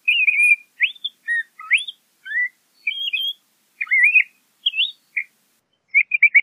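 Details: A LeConte's thrasher sings varied phrases: warbled whistles, upward and downward slurs, and a final quick series of clipped chirps, each phrase separated by short pauses.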